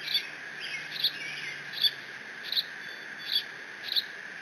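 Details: Young bald eagle eaglet alone in its nest at Decorah, on a live nest cam on 30 June 2017, squeeing while mantling a fish its father delivered. Thin, high squealing calls repeat about every three-quarters of a second, six times.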